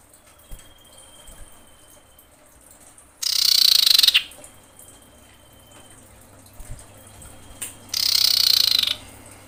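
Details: Common iora female calling for a male while in breeding condition: thin level whistles around a pair of loud, dense buzzing rattles, each roughly a second long and spaced several seconds apart.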